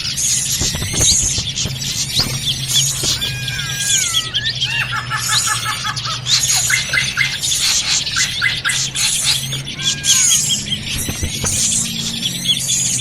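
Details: Drongo in a noisy, busy calling bout, used to lure birds for trapping; clear falling whistles and rapid stuttering note series, with harsh squeals and constant high chirping from several birds and a low hum underneath.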